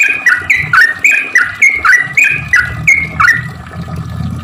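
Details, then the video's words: Energetic sooty-headed bulbul song for luring other bulbuls: about a dozen sharp, rising-falling whistled notes in a brisk chatter, with soft rumbling noise underneath that grows toward the end. "trucuk gacor cuk cuk ampuh untuk pancingan burung trucuk susah bunyi"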